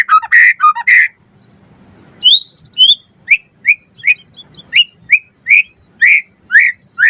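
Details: White-rumped shama, a training recording for getting birds to sing: a few loud rich notes, a pause, then short rising whistles repeated about twice a second.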